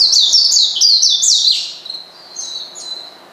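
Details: Oriental white-eye calling to provoke a rival: loud high-pitched chirping notes in rapid runs for the first second and a half, then softer thin tweets trailing off.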